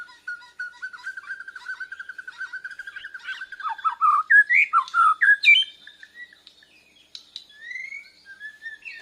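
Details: Young Bornean white-rumped shama learning to sing: a long run of rapid even notes near one pitch, then loud slurred phrases rising and falling, ending in thin whistled fragments.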